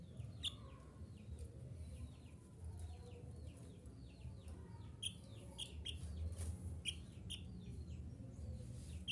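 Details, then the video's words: Mantenan gunung (minivet) song, played to train caged birds to sing: rapid series of short, high, sharply hooked whistled notes repeated about every half second, fairly faint over steady low rumbling background noise. "Terapi Suara Mantenan Gunung Agar Cepat Gacor"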